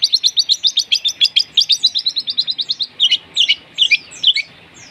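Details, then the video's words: Long-tailed shrike lure song mimicking fighting sparrows and lovebirds: a fast, even string of sharp high chirps that slows after three seconds into spaced, scratchy double notes. "Cendet materi greja tarung & love bird || PANCINGAN CENDET"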